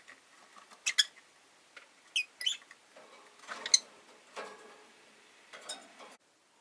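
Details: Quieter busy chirping from a group of five caged rosy-faced lovebirds near a window: clusters of short, raspy, high notes with a soft continuous hiss of street noise behind.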